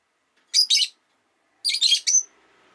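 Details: Relaxed afternoon chirping from a pet rosy-faced lovebird: two groups of harsh, high squeaky chirps, first a pair, then three or four notes ending in a thin whistled tail, faint background hum.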